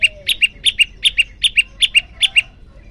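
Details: Prenjak lumut, said to be hungry and singing actively, repeats bright two-note phrases, a high chip then a lower one, in a fast even rhythm of about seven pairs within three seconds.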